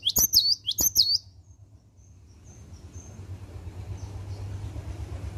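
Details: Morning song of a cinereous tit singing vigorously: two quick high whistled double notes in the first second, then steady low rumbling background noise with faint distant high notes.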